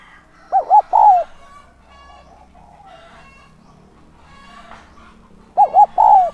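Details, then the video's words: Spotted dove kept as a decoy to draw in wild doves, cooing a three-part phrase of two quick hoots and a drawn-out falling note. It sings twice, with faint scattered calls and murmurs in the gap. "Chim cu gáy mồi giọng SON chuẩn THÚC và GÁY GỌI kích bổi nhanh nổi hiệu quả"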